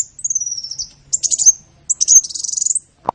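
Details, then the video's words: Sunbird song recorded as training material for songbirds: a thin descending whistle-like trill, then two bursts of high, rapid twittering, ending with a single soft click. "Masteran burung Kolibri"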